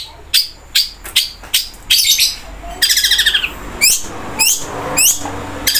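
A Long-tailed Shrike mimics a woodpecker with loud, sharp chattering notes and a fast, high rattling burst, repeated every second or so.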